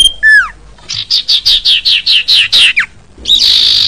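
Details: Common iora song used to lure birds: a long downslurred whistle, then a rapid series of about ten buzzy chirps, a quick falling note, and a sustained buzzy rasp at the end.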